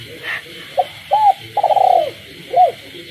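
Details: At night in the countryside a caged spotted dove coos amid frog calls: short note, arched coo, long pulsed descending coo, then a closing arched coo; a steady high-pitched chorus of frogs and insects fills the background.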